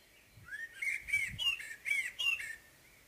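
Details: Common blackbird singing in the morning: a run of five or six mellow, rounded whistled notes, some rising, some falling, in one flowing phrase.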